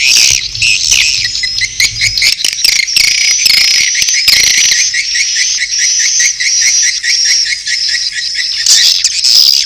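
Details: Swiftlet courtship calls mixed with chick calls: dense, high chattering twitters run almost without a break, with brief faint low tones at the start.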